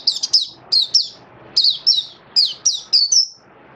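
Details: Caged oriental white-eye in song display, kept by a bird hobbyist, giving bursts of high, thin chirping notes that sweep downward, in clusters of two or three roughly every half second with short pauses between.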